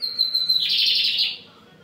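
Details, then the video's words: Firm song of a lined seedeater: a steady high whistled note gives way to a harsh, rapidly pulsed buzz for under a second before cutting off. "Bigodinho Pardinho cantando firme!"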